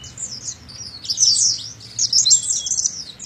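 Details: Oriental white-eye song used as training audio to get young birds singing: a continuous stream of high, thin twittering and warbling phrases, rapid and jumbled, with a faint low hum underneath.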